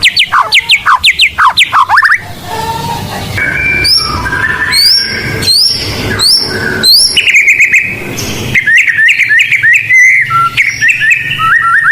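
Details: White-rumped shama of the blorok variety, a lure singer for training birds: fast clipped whistled notes, then varied slurred whistles, buzzy trills and sharp rising phrases in a long, continuous song.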